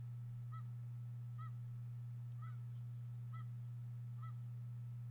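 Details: Recorded by the Harrison Bay nest cam on 26 April 2014, bald eagle eaglets receiving fish from their mother make five short rising-falling peeps, spaced just under a second apart, against a persistent low mains-like hum.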